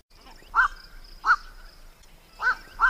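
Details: Black-collared starling call played as a trapping lure, harsh croaking squawks, four in under three seconds, in two loose pairs over faint steady hiss.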